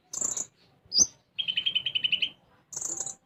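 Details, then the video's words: A sunbird known locally as konin sings in the isian gereja style. A very high buzzy note, a sharp rising chip, then a steady pulsing trill of about a dozen beats, and another high buzz. "Konin Gacor Isian Gereja"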